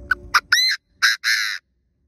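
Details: Chinese francolin used as a decoy for trapping, calling to attract wild birds and push them to call quickly. Brief low rumble and sharp notes, then a loud rising harsh note followed by two buzzy, grating notes.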